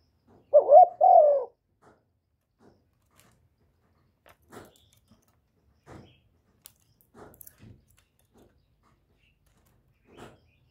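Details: Spotted dove (cu gáy) calling and cooing, recorded close without background noise: a single loud two-part coo near the start, the second note wavering, followed by faint scattered clicks and taps in a quiet room.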